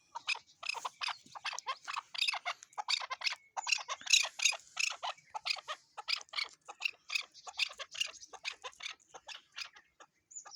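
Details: Chukar partridge: a fast, continuous series of harsh clucking chuck notes, several per second, rising to a louder chattering in the middle before easing off.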